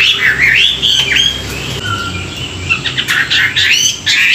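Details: Hwamei song recorded in the morning for training: looping, melodious whistles that swoop up and down, broken by brief pauses before more sharp, varied notes.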